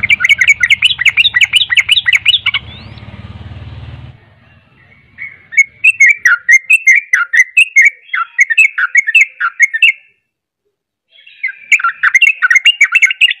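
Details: A Sooty-headed Bulbul kept as a song-contest bird pours out fast, bubbly, nonstop strings of chirping notes, about two or three a second, with a brief pause; a low mechanical hum shows through early on.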